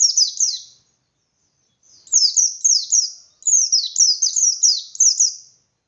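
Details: Forest-style white-eye song aimed at provoking other white-eyes: three bursts of high descending slurred notes, the later ones longer, with about a second of quiet between them.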